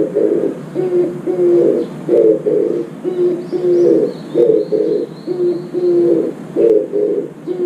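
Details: Oriental turtle dove at a window feeder giving a longer song: a steady run of low, husky two-part coos repeated roughly every second and a half, with faint high chirps of small birds behind.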